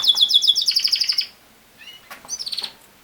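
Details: Canary singing a fast pulsed trill of about a dozen clear repeated notes for over a second, then a short pause, soft rising chirps and a final quick trill.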